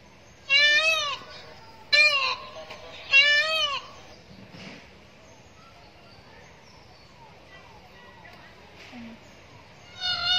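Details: A peacock gives three loud, nasal, wailing calls about a second apart, each with a rising-then-falling, cat-like tone, then quiet before a fourth call begins.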